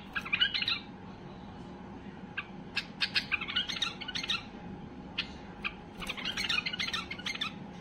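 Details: Highly excited white-eared bulbul sings to spur other bulbuls into song, giving bursts of jumbled chattering and sharp chipping notes separated by short pauses, with a constant low background hum.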